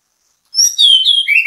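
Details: Orange-headed thrush (anis kembang), bait song meant to make other birds sing: a short loud phrase of high, clear whistles sliding downward after a brief silence.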